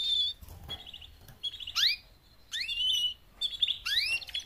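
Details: Four female canaries calling to prompt males into louder song; sharp chirps and several steep rising whistled sweeps, repeated roughly every second, over quieter chatter.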